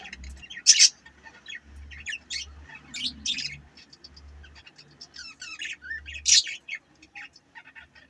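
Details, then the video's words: Scattered budgerigar chirps and squeaks come in short clusters, with two loud sharp squawks near the start and after six seconds, over a faint low rumbling background. "Budgies chirping sound"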